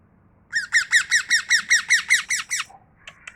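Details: Tame parrot calling indoors: a run of about eleven harsh, harmonic squawks, each dropping in pitch, evenly repeated roughly five times a second, then a couple of faint clicks.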